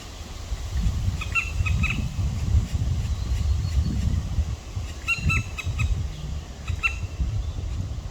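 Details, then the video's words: Black woodpecker chicks, two in the nest, evening of 23 May 2023: bursts of rapid, harsh, rasping calls in quick runs, heard over a strong low rumble of wind or handling noise. "Black Woodpecker chicks"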